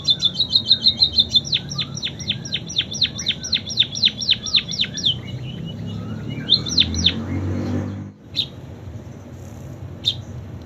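A munia sings a fast run of high, sharply falling whistles, then slower spaced notes in a canary-like style, over steady low traffic rumble with a passing vehicle.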